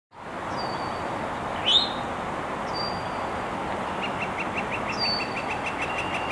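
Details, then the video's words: Eastern Towhee calling from an exposed perch in Montoursville, Pennsylvania, on 4/9/21: a sharp rising call among thin high notes repeated about every two seconds, with a fast dry trill joining near the end over steady background roar. "Eastern Towhee calling"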